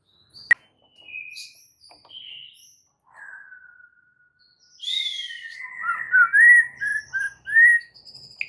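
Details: White-rumped shama in a training recording packed with varied fill-in phrases: thin whistled notes at intervals, then a louder run of slurred, rising and falling whistles near the end.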